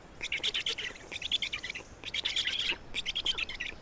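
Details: Feeding time at an Estonian black stork nest, 27 May 2019: four quick rattling bursts of raspy, clicking buzz, each under a second, separated by short gaps.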